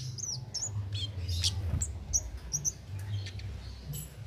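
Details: Undoped wild cit keres in lively song, a master for contest-bird training; swooping high chirps and short buzzy trills at an uneven pace, over a steady low droning background.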